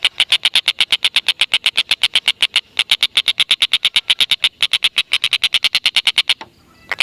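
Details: Black-and-red broadbill delivers a long run of rapid, harsh, evenly spaced notes with two brief breaks, recorded to lure lovebirds; the series ends suddenly near the close.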